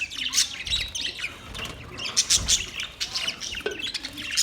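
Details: Budgerigars, several chattering together; dense overlapping chirps, squeaks and warbles with a few harsh squawks and a steady background rumble.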